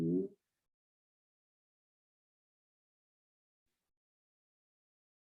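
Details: A brief voiced sound at the start gives way to near-total silence, and no animal is heard.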